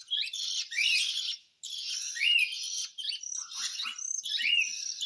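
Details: A cockatiel begs for food while being hand-fed. Its raspy, hissing squawks rise into sweeping upslurred notes, delivered in long near-continuous stretches with one short break, and faint low taps are heard toward the end.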